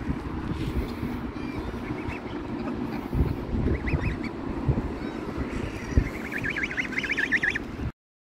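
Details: A large number of geese coming out of the water to look for food: wavering nasal honks, scattered at first and then a busy overlapping run near the end, over a steady low rumbling background.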